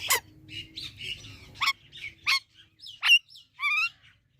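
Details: Loud talking parrot makes abrupt shrill squawks and chirps at irregular intervals, ending in a wavering, rising harmonic call; faint low hum underneath at first.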